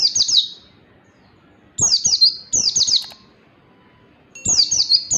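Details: Song of an Oriental white-eye used for training other birds: shrill, rapid twittered phrases of downslurred notes, four bursts separated by short silences.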